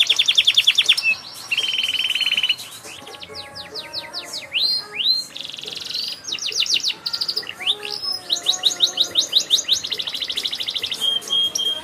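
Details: Singing canary with many variations: fast buzzy trills, a flat sustained tone, rapid strings of downward slurs, dense rattling tours, and clear held whistles.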